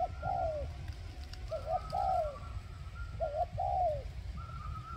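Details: Spotted dove kept as a decoy to lure wild doves: soft, low coos in short grouped phrases, about three sets, over steady low rumbling background noise.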